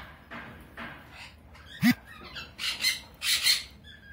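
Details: A mating pair of sun conures give harsh, scratchy squawks in short bursts, with one sharp knock partway through.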